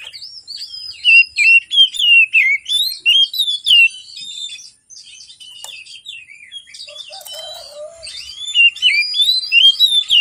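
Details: Oriental magpie-robin in full morning song, a lure for birds slow to sing: a dense stream of varied sweet whistles and chirps, a quieter pause with a short low warble, then another burst of whistled notes.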